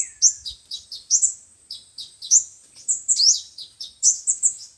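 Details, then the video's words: Five-colour and seven-colour sunbird song for speaker trapping: sharp, very high chips and short falling squeaks delivered in loose groups of two or three, with a few brighter rising slurs. "Tiếng chim hút mật 5 màu và 7 màu dùng để bẩy loa"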